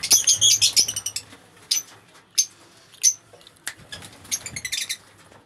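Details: Colony of mixed-mutation lovebirds in an aviary setup; shrill squeaky chatter at the start, then scattered sharp high chirps and clinks, and another burst of chattering near the end.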